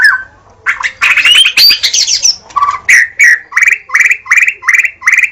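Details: Murai batu, the white-rumped shama, opens with a dense chattering warble, then repeats a rising whistled note about three times a second in a steady even series.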